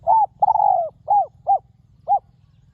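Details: Wild spotted dove with a clear, ringing voice, called in with a decoy on the ground: five arched hoots, the first short, the second long and falling, the rest clipped, the final note after a pause.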